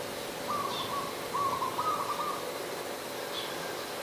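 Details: Adult zebra dove recorded on 28 December 2020 in Ubon Ratchathani, Thailand. A short run of gentle, quavering trilled coos rises and falls slightly, then stops, leaving a steady low background hum.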